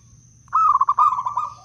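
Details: Local wild zebra dove from Blora, kept to lure other doves: after a short silence, one long pulsed cooing phrase of quick bubbling notes that fades and drops slightly at the end, with a faint constant high tone.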